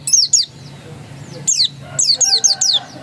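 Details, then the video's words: Ngotot-style singing from a pleci dakun white-eye: two quick high chirps, a pause of about a second, then a run of five thin downward-sweeping notes in close succession over a soft low background hum. "Suara Ngotot Pleci dakun"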